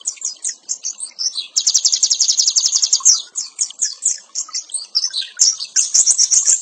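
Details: Ngeriwik nyembur style song of an oriental white-eye, a masteran tutor track: high scratchy chirps, then a fast, even trill around two seconds, followed by varied twittering phrases and sharp tweets.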